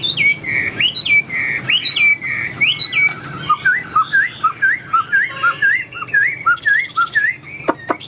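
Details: Caged Chinese hwamei, a tame bird newly brought home that morning, singing a varied run of loud whistled phrases: rising and falling slurred notes, then a repeated two-note motif about twice a second, ending with sharp clicks.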